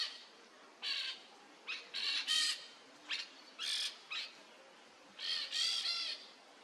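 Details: Peach-fronted parakeet (jandaia-coquinho) perched on top of a tree in Brazil, giving harsh, raspy screeching calls in short bursts, some doubled, irregularly spaced across the clip, over a quiet background.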